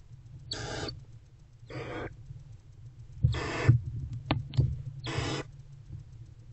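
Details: Before dawn on 20 February 2024, a barn owl mother and her older owlet sit together in a nest box; four rasping, breathy hisses come at irregular intervals, with a few faint clicks and a steady low hum.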